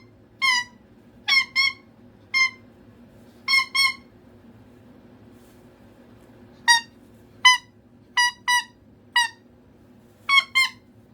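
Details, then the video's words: A needy pet cockatoo, inside a room, gives scattered single and paired squawks with irregular gaps of up to three seconds between bursts. "A Cockatoo Making Noises For Attention"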